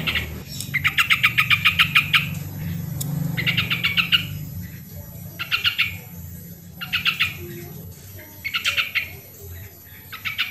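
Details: Sooty-headed bulbul song, played to coax lazy birds into singing; bursts of rapid, buzzy pulsed notes, each about a second long, repeated with short pauses, over a low steady hum.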